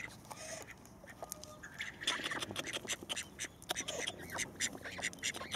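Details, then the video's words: Domestic call ducks, a flock kept by a family, quiet at first, then breaking into a chorus of sharp, raspy quacks and squawks from about two seconds on, with faint background noise. "call duck2 miłość naszego życia"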